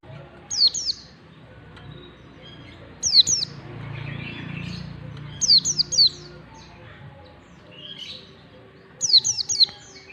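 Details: Oriental white-eye singing a long standard ngalas-style song, used as a lure to teach young white-eyes to sing: four bursts of high, thin, rapidly descending whistled notes, spaced about two to three seconds apart, over a faint low background hum.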